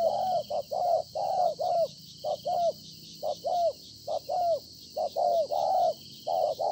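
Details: Wild-caught spotted dove cooing in a dense series of short and longer low hollow notes, often paired, about once a second, with a steady high hiss behind.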